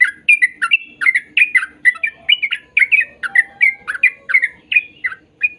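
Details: Sooty-headed bulbul song played to make young birds sing: rapid bubbling chirpy notes around mid pitch, each with a sharp upward flick, repeated roughly three per second without pause.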